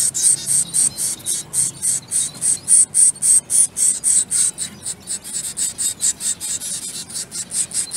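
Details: Zebra finch chicks being hand-fed beg with rapid, high, hissing peeps repeated several times each second.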